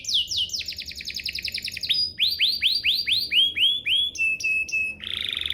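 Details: Canary song played to draw other canaries into song: sweeping trills, loud rising upslurred notes in series, pure whistled tones, and a closing buzzy roll.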